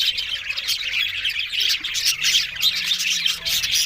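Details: Budgerigars recorded on October 1, heard talking together: a dense, continuous wash of high scratchy chirps, squawks and warbles overlapping without pause, with brief louder squawks rising out of the steady chatter.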